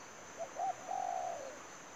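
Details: Spotted dove lure for trapping: a faint short note, a brief coo, then a long smooth coo trailing downward, with steady insect hiss in the background.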